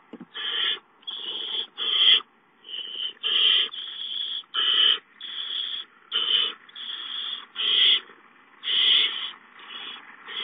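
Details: Barn owl owlets hiss repeatedly as food arrives, an adult bringing a mouse at 8:19 on 19 April 2013; a long run of about fourteen raspy, breathy bursts, each under a second, spaced irregularly with short pauses.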